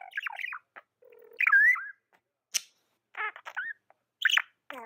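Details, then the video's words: Tame budgie giving varied chirps: wavering whistled notes, a low buzzy churr, and a few harsh rasping calls, separated by short pauses. "Amazing budgie chirping sounds"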